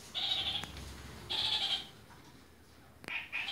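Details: A red-fronted kakariki gives two harsh, nasal half-second chattering calls about a second apart, then two short, quick notes, over a faint low hum.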